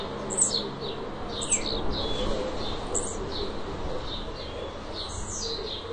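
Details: A pet blue-black grassquit (Volatinia jacarina), perched on a hand, sings short, high, buzzy chirps that slide downward, repeated about every second, over a low steady background hum. Blue-black grassquit.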